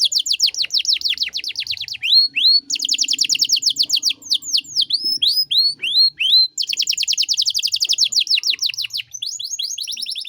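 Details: Lively canary in 'cengkok mewah' song style, recorded as a master for teaching songbirds: long, unbroken high-pitched run of rapid buzzy trills alternating with swooping whistled notes, several phrase changes within ten seconds.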